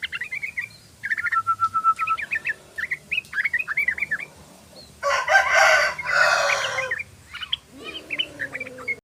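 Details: Tame sooty-headed bulbul singing energetic 'ropel' song: rapid bursts of short, bright whistles and one slightly drawn-out note, interrupted midway by a loud, rough crowing-like burst, then more whistles resume.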